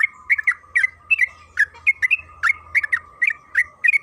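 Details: Sooty-headed bulbul singing to coax others into song: lively, evenly paced chirpy notes, paired or single, about three per second, with a low steady hum underneath.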